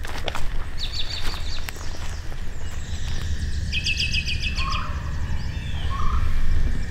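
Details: Golden-winged Warbler in spring, among many singing songbirds, giving two high, buzzy songs of quick repeated notes, over a steady low rumble of wind and a few softer chirps.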